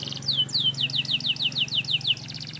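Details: Canary song: a fast, even trill of high, sharply falling whistled sweeps, about five per second, ending in a softer rattle, over a steady low hum.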